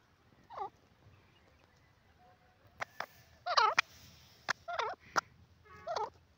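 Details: Grey francolin (jungli teetar) calling in jungle: twisting, harmonic notes repeated at intervals of about one to two seconds, mixed with sharp clicks and knocks.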